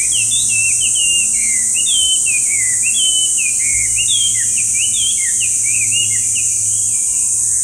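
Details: Long varied whistled song of a Chinese hwamei: rapid chains of slurred, rising and falling notes with short pauses, backed by a steady shrill insect drone.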